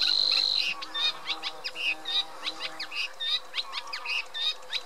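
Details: Reed warbler's rhythmic chattering song, repeated scratchy notes and short rising chirps in quick succession, opened by a brief thin high whine.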